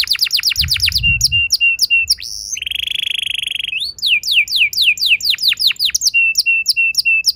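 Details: Young canary song as a singing lure: quick falling notes, a brief low thud, a long steady buzzy roll, then rising whistles and repeated clipped chirps.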